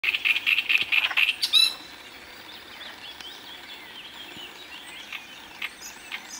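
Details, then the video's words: Great reed warbler singing in Moselle, France: a brief burst of harsh, grating, rapidly repeated notes lasting under two seconds, then only faint distant birdsong. "Rousserolle turdoïde chant"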